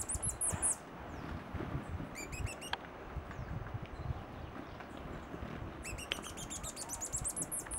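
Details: Female violet-tailed sylph (Aglaiocercus coelestis) at Carmen de Atrato, Chocó, Colombia, 2012, giving thin, very high chips and quick twittering runs over a steady rushing background like a stream or wind.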